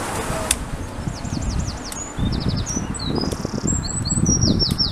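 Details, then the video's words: Eurasian wren singing during display, a fast, very high song of looping whistles and rattling trills, over heavy low rumble and wing flutters. "Chochín común: exhibición de canto / Wren singing and display"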